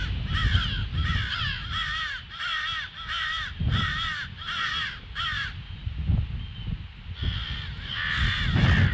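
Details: Crows sounding the alarm on a February morning at 08:50; a rapid sequence of about eight short hoarse caws, then a pause and more harsh calls, over a rumbling low background.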